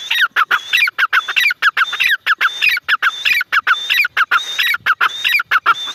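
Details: Repeated calling of a grey francolin, known locally as teetar: rhythmic bursts of raspy notes with a sharp high whistled element, cycling steadily with no pause for six seconds.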